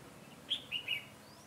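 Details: Red-whiskered bulbul used as a decoy in bird trapping, 22 September 2017: one bright whistled phrase of three quick slurred notes, the first highest, over a quiet outdoor background.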